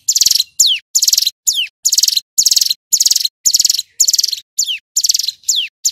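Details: Male hill prinia delivering a loud, clear, continuous song of rapid buzzy high trills repeated nearly twice a second, broken regularly by sliding downward whistles. Nothing else audible.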